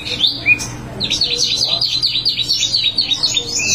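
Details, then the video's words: Wambi mini in lively continuous song, opening with a few high whistles, then a fast, even run of sharp, zigzagging chirps repeated many times per second; steady low hum in the background. "wambi mini gacor ngerol"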